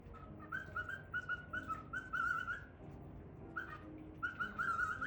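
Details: An excited male cockatiel whistles a quick run of clear, bright notes, pauses, then starts again.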